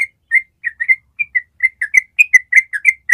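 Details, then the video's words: Yellow-vented bulbul in a long trill (ropel) used as a training master: clear whistled notes, some slurred downward, quickening and growing louder toward the end of the short passage. "SUARA TRUCUK ROPEL PANJANG"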